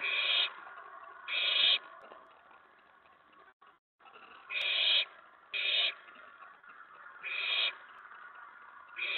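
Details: At night an owlet in its box grows excited when another owl lands on the tray after a mouse delivery, giving rasping hiss-like shrieks in short bursts at uneven intervals, with faint scratching between them.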